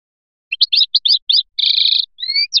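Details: European goldfinch from Biskra singing in the fliachi style: quick twittering chirps, then a buzzy, nasal sustained note and rising thin whistled slurs, against a silent background.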